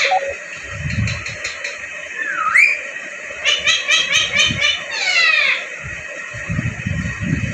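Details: Pet rose-ringed parakeet in Vehari, Punjab, Pakistan, talking in a happy mood: a clear rising whistle, then a run of quick speech-like harmonic syllables and falling whistled sweeps, with soft low thumps indoors.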